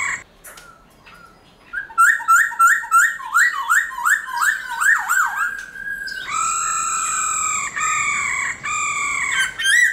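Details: A black-throated laughingthrush sings in its wild-type voice, loud, rich whistled notes that swoop up and down about three times a second, then long, steady ringing tones; the song is played to stimulate caged laughingthrushes.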